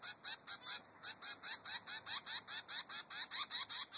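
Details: Zebra finch chick, three weeks old, demanding food from its mother: a steady, regular train of about fifteen short, nasal begging calls in four seconds.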